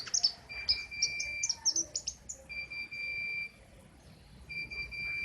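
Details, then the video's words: King konin in continuous besetan song, loud and sharp: a burst of rapid high chirps followed by drawn-out flat whistles, each held about a second with short gaps between, over quiet background hiss. "Burung "KING KONIN" Trotol Ngerol Abissss Besetan Mantap !!!"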